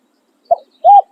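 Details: Spotted dove decoy bird crowing in the khan riak and khan yon styles: a brief clipped coo followed by a smooth, level, arched coo, with silence around them.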